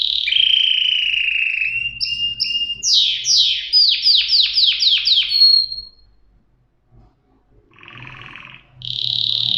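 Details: Canary singing a sustained whistle, short paired notes, then a fast trill of sweeping notes; after a near-silent pause comes a buzzy phrase and a renewed whistled note.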